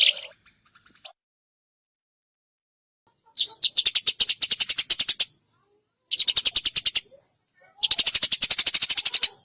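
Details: Eurasian tree sparrow in a fast, clear chirping recording meant to train other songbirds: a brief opening chirp, silence, then three bursts of rapid, evenly repeated sharp high chirps, each lasting one to two seconds.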